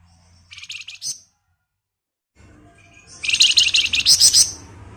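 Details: Ngebren song of a Flamboyan bird, kept as a lure recording: a short high trilled burst, a pause of silence, then a longer, louder run of rapid, sharp, buzzy chattering notes over faint low rumble.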